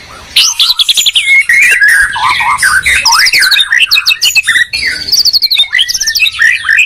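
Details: White-rumped shama, Medan versus Borneo bird in a song duel, territorial: loud varied song with rapid trill series, rising and falling whistles and chattering bursts, continuous throughout.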